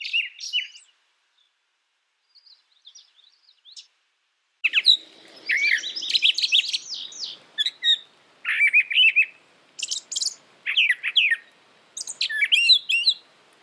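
Brown Thrasher song: a rich, varied run of short whistled and churring phrases, some given in quick pairs, after a quiet opening with faint chirps.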